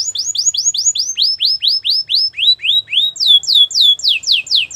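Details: Belgian canary singing to warm up before females: clear downward-sweeping whistles repeated about four per second, the phrases stepping lower then jumping back high.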